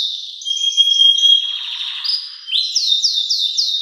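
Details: Belgian canary singing very loudly, suited to training young birds: high sustained whistled notes and fast trills, ending in a run of rapid repeated rising-falling high notes.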